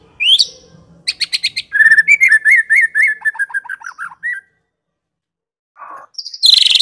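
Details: White-rumped shama used as a lure and tutor: high upslurred whistle, a quick rattle of notes, then a long liquid run of repeated warbled whistles, a silence and a harsh burst at the end.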